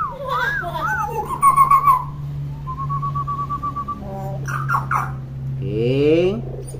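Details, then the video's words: Talkative common hill myna used as a tutor for young mynas. Looping whistles and a rapid pulsed trill lead to a long, steady, warbling tone, then harsh clicks and a nasal, voice-like phrase over a low hum. "KING BURUNG BEO GACOR & CEREWET"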